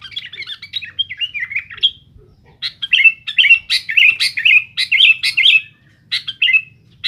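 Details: Sooty-headed bulbul in noisy, rival-challenging song: a long tumbling sequence of quick bubbly warbles and sharp chips, about two notes a second, with one brief pause midway.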